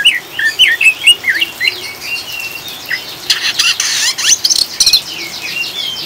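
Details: Oriental magpie-robin in ngriwik chattering song, used to calm and stabilise caged birds: rapid curving whistles and chirps, then dense overlapping chatter near four seconds, over a steady hiss of rain.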